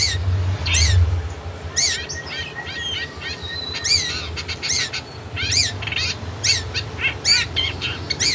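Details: Long-tailed shrike singing on a recording made to train caged birds: varied high whistled notes sweeping up and down, some short chips and a few longer flat whistles, over a steady low rumble.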